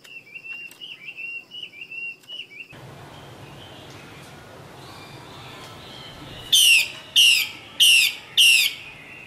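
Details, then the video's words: Female Chinese hwamei from Northwest Vietnam: a run of short warbled whistles, a quieter pause, then four loud, harsh, falling notes spaced about half a second apart. "Hoạ Mi mái "Hay" nhất bản mường Tây Bắc"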